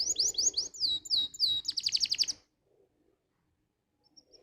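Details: Canary tutor song for young birds: quick high sweeping notes and a fast bright trill for about two seconds, then silence apart from a faint chip near the end.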